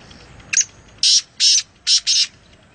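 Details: Wild kala teeter, or black francolin, from Nawabshah giving its harsh phrase: a quick sharp note, then four rasping, high notes spaced about half a second apart, the final two nearly joined, with faint hiss behind.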